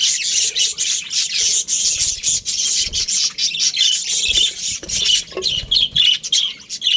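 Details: Australian budgerigar breeding pair chattering: steady buzzy, grating high chirps and warbles running almost without pause, with a few faint low knocks underneath.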